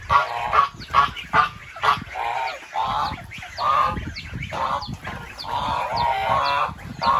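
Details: Goose uttering quick clipped honks that run into longer, blaring calls, around seventy a minute, with faint higher chirps from other birds in the background.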